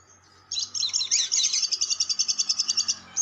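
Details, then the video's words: Lovebird long chatter played as a lure for lovebirds: a high, shrill trill of rapid notes pulsing about three times per second for nearly three seconds, starting ragged and becoming evenly repeated, with faint low hum underneath. "SUARA PIKAT BURUNG LOVEBIRD"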